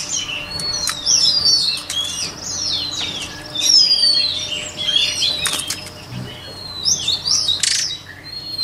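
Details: Varied white-rumped shama training song: fast whistled slurs, downward sweeps and chattering notes in continuous phrases, with a few sharp clicks and a brief low thump.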